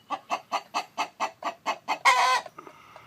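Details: Chicken, presented as a rooster while a hen sits on eggs. Nine steady, evenly paced clucks lead straight into a single loud, rough, sustained squawk, followed by a faint trailing cluck.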